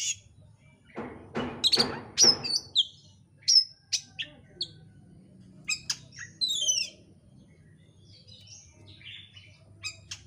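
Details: Kacer, the oriental magpie-robin, in a lure recording for prompting another bird to sing: a few harsh broadband rasps early, then quick whistled notes, downslurred trills and scattered chirps.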